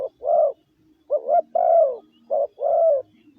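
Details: Spotted dove kept caged as a decoy bird, cooing to lure wild doves in 'gáy gù' fashion: three low phrases, each a short hoot leading into a long, smooth downward-bending coo.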